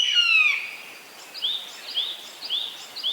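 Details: Eastern buzzard, a large bird of prey. A single loud, downslurred mew opens the recording. A smaller bird then takes over with quick, repeated, high chirps.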